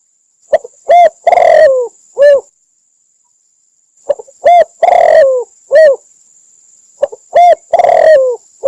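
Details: Lure recording of a spotted dove from Cambodia, used for trapping: the same cooing phrase repeats three times, roughly every three seconds. Each phrase is a short coo, then a longer throaty note falling at the end, then a final coo. A faint whine persists.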